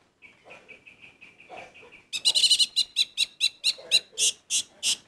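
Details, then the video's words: Orange-headed thrush sounds: a run of soft, evenly spaced piping notes for two seconds, then a loud fast series of sharp, chattering notes repeated about four per second, gradually slowing. "Anis merah gacor Mendongkrak emosi"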